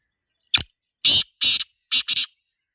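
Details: Wild black francolin, the Sindhi teetar, calling in a natural setting: a run of five harsh, grating, broadband notes, the first alone, then two, then a quick final pair, over an otherwise quiet background.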